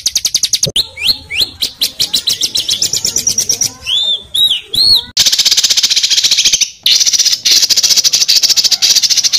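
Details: Small songbird in an Indonesian training recording meant as tutor material for pet birds: a dense, fast song of high chirps and sweeping whistled notes, then long runs of rapid, rattling, high-pitched trills delivered without pause.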